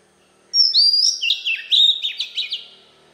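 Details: Captive Oriental magpie-robin singing its wild-type song, used as a lure, a rich, varied phrase of clear whistles sliding into quick warbled and chattering notes, loud and close, with no other sounds.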